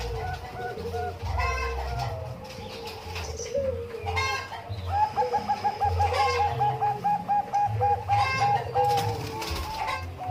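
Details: Zebra doves of the Bangkok type heard at an umbaran; after chicken noise, a rapid string of bright, pulsing coo notes runs for several seconds, overlapped by softer coos and clucking fowl.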